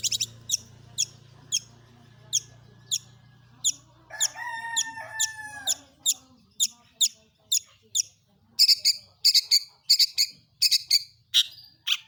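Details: Long-tailed shrike song used as a lure to make other shrikes sing: sharp high 'toet toet' notes repeated about every half second, with a short stretch of warbling, harmonic phrases in the middle.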